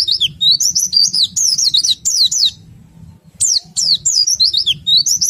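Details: Oriental white-eye giving a rapid twittering ngerol-style song with sharp nembak notes, meant to prompt other white-eyes to sing; high, quick zigzag whistled phrases in bursts, a brief pause near three seconds, then more excited twitters.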